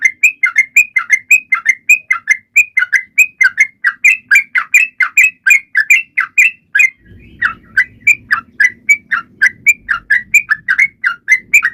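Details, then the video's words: Lively Sooty-headed bulbul song meant to get quiet birds singing: a long, dense stream of clear chirps at a fast, steady pace, with a low background hum joining halfway through. "Trucuan gacor!!mancing burung lain ikut bunyi"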